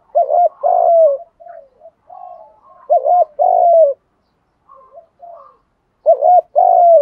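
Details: Cooing of male and female spotted doves used to stimulate decoy birds; three phrases every two and a half to three seconds, each a double hooked coo and a lengthy drawn note, with soft coos between.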